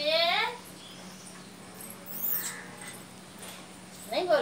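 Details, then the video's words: Pet Indian ringneck parakeet talking with its owner indoors: a loud, harmonic, voice-like burst at the start, then quieter murmuring, and a second rising, sharp utterance at the end. "talking parrot बोलने वाला तोता"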